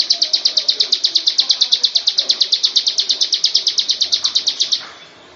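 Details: Bar-winged prinia song, used to train other birds, made of quick, sharp, high chip notes in even rhythm that keep going for nearly five seconds before stopping, leaving soft background noise.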